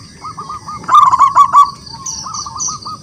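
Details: Wild local zebra dove in full song, calling rivals into singing. A short run of clipped cooing notes swells into a loud rolling burst, then softer repeated notes return. A constant high whine and chirps sit behind.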